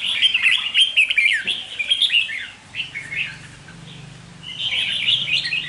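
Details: Red-whiskered bulbul, a decoy bird, sings loud, lively chirping phrases in rapid runs, pausing briefly before another burst, with a faint low hum in the background.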